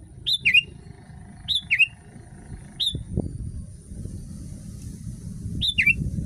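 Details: Sooty-headed bulbul (kutilang) tutor song for prompting other bulbuls: a few falling whistled phrases, single and paired, a pause with a brief low knock and rising background noise, then one last paired phrase.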